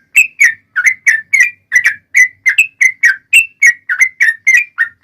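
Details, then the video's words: Yellow-vented bulbul in fighting, long rapid-fire song, used as a lure to make other bulbuls answer: about twenty short bubbly notes near two kilometres of pitch, each dipping or rising, delivered in a brisk uneven series with short gaps. "trucukan gacor TARUNG ROPEL PANJANG pancingan trucukan agar bunyi JADIKAN burung trucuk gacor NYAUT"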